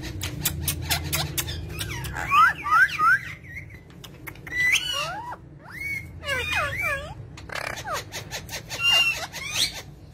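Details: Parrot vocalizing indoors: sharp rising and falling whistled notes and short squeaky syllables in irregular bursts, mixed with rapid clicking sounds and a low background hum.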